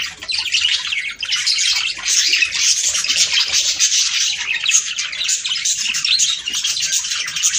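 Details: Budgerigars chorusing to encourage mating, a dense, hissy wall of overlapping chirps and scratchy warbles without clear pauses, sounding like many birds at once.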